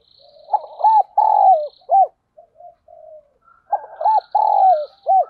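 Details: Spotted dove used as a decoy bird to lure wild birds: two loud cooing phrases, each a few short rising-falling coos then a long drawn note and a final short coo, with softer distant coos between.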